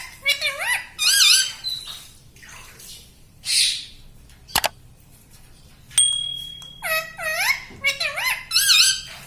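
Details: Talking pet parrot copying human words like "mummy" in a small room: bursts of bent, harmonic speech-like syllables, a sharp click midway and a steady thin tone, then a quick run of rising-falling phrases.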